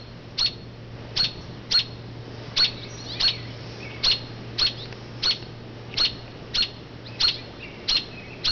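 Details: Robin mother perched on an oak branch away from her fairly low nest, calling noisily to distract passersby; regular piercing chirps roughly every half second to second, over a low steady hum.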